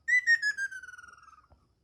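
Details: Ryukyu ruddy kingfisher, locally called Hokkaru, calling on Taketomi Island: a single loud whistled trill that starts high and slides steadily downward, its pulses quickening and fading over about one and a half seconds, with a quiet background.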